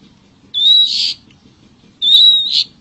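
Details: Long-tailed shrike in nature giving two harsh calls, each opening with a thin whistled tone that turns into a rough, buzzy rasp about half a second long.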